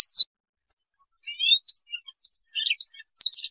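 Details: Siberian rubythroat song, used for trapping: a short falling whistle, a pause, then a rapid varied warble of high twittering, trilled and scratchy notes running continuously.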